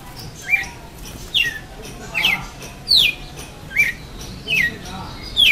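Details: Male-style face-to-face singing duel of a red-cowled cardinal that ended in defeat: bright downward-slurred whistles, seven or eight in quick succession, each brief and ringing, background quiet apart from faint hiss.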